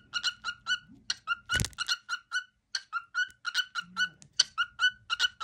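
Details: Pet male cockatiel performing his daily favourite song indoors: evenly spaced short whistled notes, repeated about every quarter second, broken by one loud thump and a brief low human sound.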